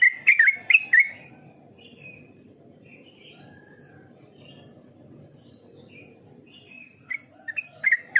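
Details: Yellow-vented bulbul giving a short burst of bubbly whistled notes, then a pause with scattered soft chirps, and a second burst of quick liquid notes near the end.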